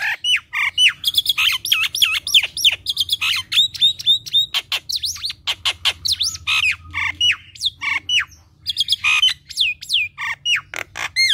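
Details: A Nias hill myna in lively, chattering full song, offered as a prompting and tutoring recording, pours out a loud, continuous jumble of whistles, sharp rising and falling notes and harsh squawks, with almost no pauses.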